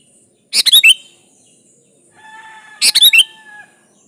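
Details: Sooty-headed bulbul in full voice, used as bait to call a rival: two short phrases of fast bubbly notes two seconds apart, with a faint level whistled tone in the background between them.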